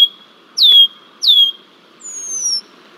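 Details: Red-winged blackbird (Agelaius phoeniceus), persistent near the Decorah bald eagle nest, Iowa, 20 July 2023, giving three thin, high, down-slurred whistles about a second apart, the last longer and higher, over a faint hum.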